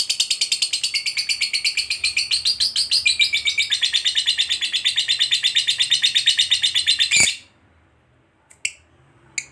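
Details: Fighter lovebird giving a long ngekek chatter, used as a lure to make other lovebirds answer: a rapid, steady run of high, harsh trilled notes lasting about seven seconds, then a sharp click and a few faint chips.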